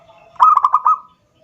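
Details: A single zebra dove phrase meant to lure a rival: five fast stuttering coo notes rolled together at a steady mid pitch, ending in a short trailing tone.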